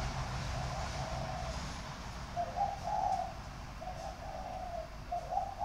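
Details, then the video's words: A captive spotted dove with a sharp, hard voice, recorded 23 February 2020 in Vietnam, gives low, hoarse coos in repeated three- and four-note phrases over a rumbling low hum. "cu gáy giọng đanh lúc 3 lúc 4"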